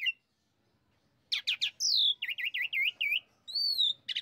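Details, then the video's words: Asian pied starling lure, jalak suren, used to trigger vigorous singing in a kept bird: a lone chirp, silence, then rapid harsh notes, a long descending whistle, five looping wavering whistles and a final buzzy burst. "Pancingan Terampuh Yang Membuat Jalak Suren Anda Menggila Dan Gacor"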